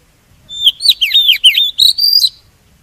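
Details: Oriental magpie-robin decoy song, used for trapping birds and prompting others to sing: a dense burst of clear whistled notes, swooping down and up in quick succession, closing with a sustained rising whistle.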